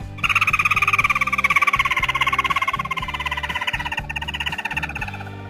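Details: Tí nỉ style song of a chim mắt đỏ songbird, a rapid pulsing trill that is steady at first and then drifts gradually lower and softer toward the end, set against steady background music.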